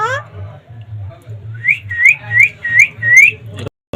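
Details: Talking rose-ringed parakeet, a rescued ringneck kept in Bangladesh, imitating human speech: a brief harmonic voice at the start, then five loud rising whistles in quick succession over a steady low hum, ending in a click.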